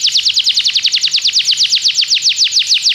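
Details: Belgian canary used for training other canaries to sing, delivering a steady, fast-pulsed trill of bright descending notes, about seven per second, throughout.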